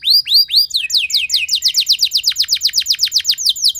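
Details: Canary singing long and loud as a lure to prompt other canaries: three arching whistles lead into a steady, rapid series of sharp down-slurred notes repeated about four per second.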